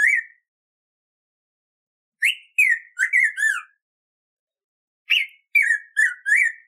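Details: Black-throated grosbeak (Saltator fuliginosus) song for teaching and training birds: loud, rich whistled phrases of four or five slurred notes, the phrases separated by pauses of about two seconds, against a quiet background.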